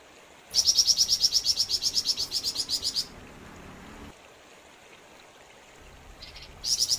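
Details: {'caption': 'Flamboyan bird singing hard, delivering a long rattling string of high, clipped chirps for about two and a half seconds. A quiet gap follows, then a brief faint note and a fresh burst of the same rapid chirping.'}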